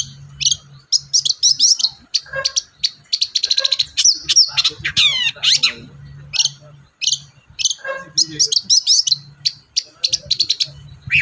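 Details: Long-tailed shrike in energetic song, played to provoke a silent shrike into singing: dense bursts of sharp, high chirps and scratchy notes with quick downslurred sweeps, almost continuous, with brief pauses between phrases.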